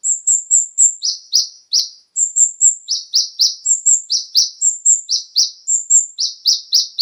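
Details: Brown-throated sunbird (konin) song used as a lure to get captive birds singing: high, sharp chirps alternating between a level whistled note and a lower downslurred note, delivered in quick bursts of about four per second, no other sounds.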